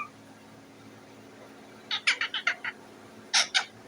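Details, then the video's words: Parrot on top of its cage making noise for food, a quick run of six harsh raspy squawks, then a pause and two louder grating notes, indoors. "The parrot is sitting on the cage and making a noise"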